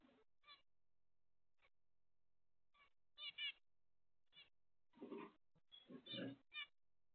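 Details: Zebra finches heard through their daily routine: scattered short nasal beeping calls, sparse at first and then crowding together into louder, harsher overlapping notes toward the end.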